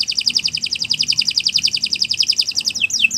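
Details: Canary song for teaching other birds: a steady, fast chattering trill of high repeated notes, about four per second, ending in a couple of quick sweeping whistles.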